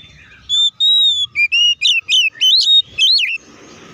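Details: Oriental magpie-robin song meant to provoke other magpie-robins to sing, heard as a rapid chain of about eight loud whistled phrases, long steady notes giving way to quick up-and-down twists, then a brief hiss at the end.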